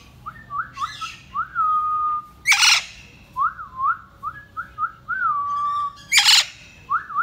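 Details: Pet Indian ringneck parakeet whistling a repeated rise-and-fall phrase, with each note ending in a long level tone, broken by two loud harsh squawks.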